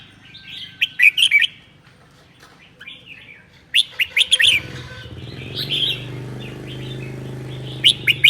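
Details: In Sơn La, Vietnam, on a cold day, a red-whiskered bulbul sings in the 'ché' style. It gives rapid chirpy bursts, then softer warbles, over a low droning hum that rises midway.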